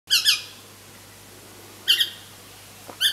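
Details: Pale-headed rosella chick demanding food while being fed by a parent: two harsh squawky bursts, a pause, then another pair and a third starting at the end, over a faint steady low hum.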